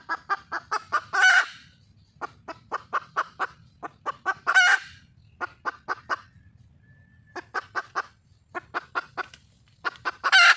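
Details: Wild red junglefowl hen calling for a male: series of short sharp clucks in quick runs, each run ending in a louder harsh squawking burst, repeated three times with brief pauses; faint low rumble behind.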